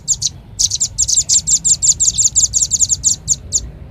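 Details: Lure sound of the velvet-fronted nuthatch: a pair of high chips, a short gap, then a quick, rhythmic stream of sharp, thin notes ending in two spaced chips.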